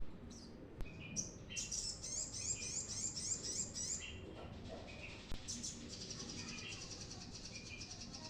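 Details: Brown-throated sunbird singing vigorously, used as a lure for newly caught birds: two bursts of rapid, high, tinkling chirps and trills, each lasting about two to three seconds, separated by a short pause over faint background hiss.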